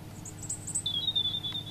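Robin song: a few very high, thin twittering notes, then a long, sustained thin whistle held steady for most of a second, over a faint low hum.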